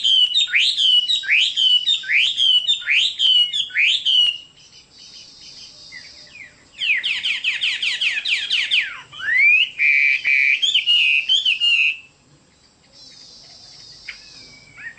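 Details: Chinese hwamei song: a series of about five sharp, downward-swept whistles, then a fast buzzy rattle, a deep swooping slur and more ringing whistled notes, separated by quiet gaps.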